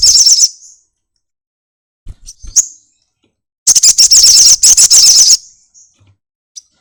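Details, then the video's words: Sunbird song given with wings opened: a high, fast chattering trill at the start, a few isolated chirps, then a long, loud run of rapid sharp notes lasting nearly two seconds. "burung kolibri madu bunyi buka sayap nyepion"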